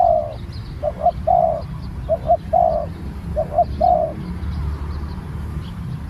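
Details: Newly trained spotted dove, out for practice, calling a rhythmic low coo phrase: two clipped notes then a longer throaty coo, repeated four times in about four seconds, then quiet. Constant low hum behind.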